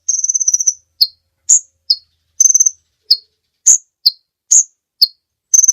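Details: Kolibri ninja sunbird song recorded for training other birds. It opens with a fast buzzy trill of nearly a second, then runs into alternating sharp chips and short trills, roughly two per second.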